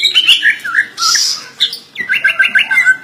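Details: Greater green leafbird, kept in captivity, giving a full isian imitation song: mixed chattery whistles, a harsh hissing burst, then a quick run of six or seven evenly spaced bright slurred notes.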